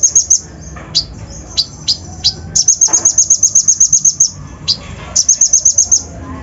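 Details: Van Hasselt's sunbird (kolibri ninja) lure song with coarse fill-ins, used to rouse untrained birds: rapid bursts of high, sharp ticking notes, about eight per second, between single thin high chips, with a soft background hiss.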